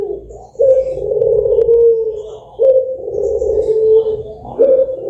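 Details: Dove, the kind sold as a lure to get birds singing, giving long, smooth, mid-pitched cooing notes. Each drawn-out coo lasts over a second and falls slightly at the end, repeating roughly every two seconds with a faint low hum beneath.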